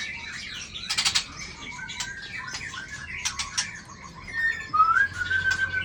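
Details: Competition setting with a white-rumped shama: scattered sharp chirps and clicks from several birds, then a clear rising whistle flowing into a level trilled note near the end.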